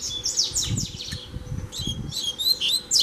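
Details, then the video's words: Free double-collared seedeater challenging a caged bird: quick, high descending whistled notes, a brief pause, then sharper bright chirps, with soft low thumps and knocks underneath. "O COLEIRO VEM NA MÃO PRA PEGAR O DA GAIOLA!!!"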